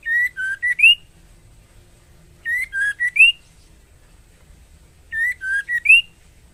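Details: Female White-rumped shama calling a male, in breeding condition. Three matching phrases of four whistled notes each, dipping then rising to a higher end note, come roughly every two and a half seconds against a quiet background.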